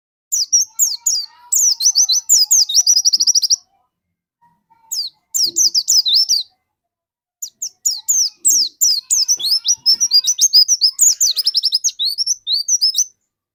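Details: Lure song of a prolific dakun white-eye, used to get other white-eyes singing: long, fast runs of high, sharp, warbling chirps in three extended bursts, with brief quiet breaks between them.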